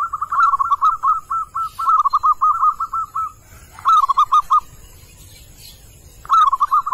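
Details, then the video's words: Calling male zebra dove in the wild: a long unbroken run of rapid, rolling staccato coos lasting about three seconds, then two shorter bursts of five or six quick notes after a pause. "Sound therapy of wild zebra dove | perkutut jantan memanggil"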